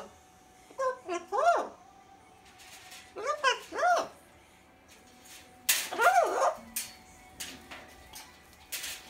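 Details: A one-year-old Rubygold macaw talks, saying phrases such as "gimme kiss" and Romanian "ce faci", in three short bursts of harsh, speech-like rising-falling syllable pairs a couple of seconds apart, among household knocks and clicks.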